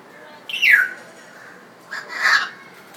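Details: African grey parrot after a bath in Dhaka, Bangladesh, giving two vocal bursts: a falling whistled sweep, then a louder, rougher speech-like note about a second and a half later.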